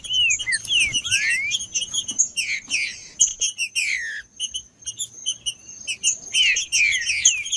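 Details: Green-winged saltator male singing macheando to warm up: a few swooping whistles, one climbing steeply, then mostly high chirps and twitters before more downward-slurred whistles near the end.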